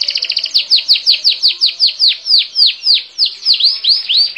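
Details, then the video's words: Canary song in a steady rolling tour of loud, high, down-slurred whistled notes, about four per second. The opening notes are quicker and chattering. Clean recording with no other sounds. "The Best Canary Compilation 2020"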